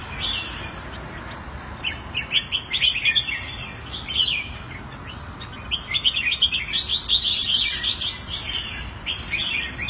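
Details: Singapore-kept red-whiskered bulbul in a cage, Thai-style keeping, 14 February 2018; several brisk, melodious chirping phrases in quick succession, bursts separated by short pauses, faint low hum underneath.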